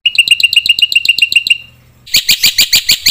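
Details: Lure song of a black-winged myna meant to rile other mynas: quick, sharp, ringing notes repeated rapidly, a brief pause, then a burst of harsher, brighter notes at a similar fast pace.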